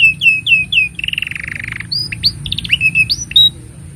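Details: Canary singing as a master for young canaries: looping whistles, a rapid rattling roll, then scattered rising chirps and slurred notes.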